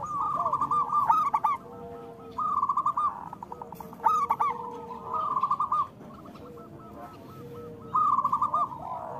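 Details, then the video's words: Local zebra doves used to prompt lazy doves into singing: bursts of rapid, rolling cooing notes, staccato then drawn out, recurring about every two seconds, with several birds overlapping. "Perkutut lokal gacor Suara Besar Panggilan Perkutut Agar Bunyi"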